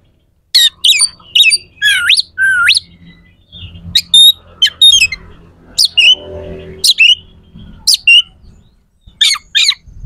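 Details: Oriental magpie-robin song with rough, sharp phrases meant to anger competing magpie-robins. Spaced bursts of scratchy notes and upswept whistles, about one each second, with a faint low hum behind.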